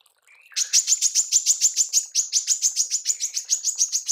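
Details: Female manggar in rapid-fire tembakan, used for mastering songbirds: a brief lower note, then an unbroken string of loud, sharp, high chips, evenly spaced and fast, lasting nearly four seconds.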